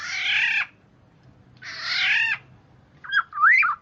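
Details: Oriole calls played to attract birds: two long, grating nasal squawks about a second apart, followed by quick fluty whistled notes that swoop up and down.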